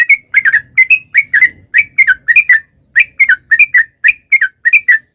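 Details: Sooty-headed bulbul singing in a lure recording meant to provoke other birds to sing: bubbly, liquid two- and three-note whistled phrases, each falling slightly, repeated in quick succession about twice per second, with faint low rumble beneath.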